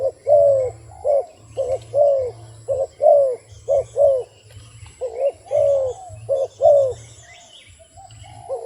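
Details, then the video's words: A wild dove keeps up a long series of repeated coos, a short note leading into a longer falling one. The bird pauses briefly midway, with a low hum and faint high chirps behind. "លលកព្រៃនេះសម្លេងល្អគួរសម🤩🕊This wild dove sounds pretty good."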